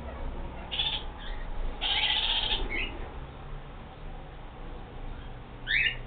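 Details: Kakariki (New Zealand parakeet) calling in rough, nasal bursts: a short note, a longer raspy phrase around two seconds in, then a rising squeak near the end, with faint low rumbling behind.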